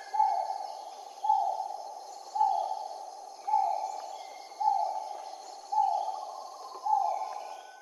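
A great argus gives loud, mellow notes that drop in pitch, about one per second in a steady series, over faint high insect hum and distant birds.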